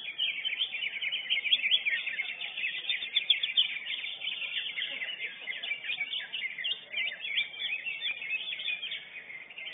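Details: Caged lesser green leafbird, first-place winner at a songbird contest arena, pours out a fast, unbroken stream of bright chattering and twittering notes, high-pitched and varied, with faint background chatter.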